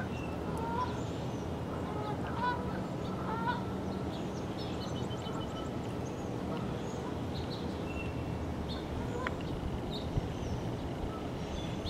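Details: About four dozen Canada geese flying in and gathering on the waters of Little and Big Fishweir Creek on a November morning at 7:16 am, giving scattered, nasal, mid-pitched honks over a steady, loud low rumble of wind or traffic.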